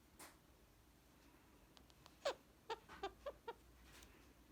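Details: Tame male Indian ringneck parakeet being petted and nipping playfully indoors, giving a quick run of five short clucking chirps after a quiet stretch with faint rustles.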